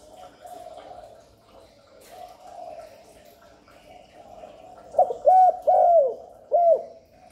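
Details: Spotted dove cooing, used to lure wild doves and stimulate newly kept ones. A soft hum fills the first seconds, then a short phrase of arched, falling coos and one more coo close the recording.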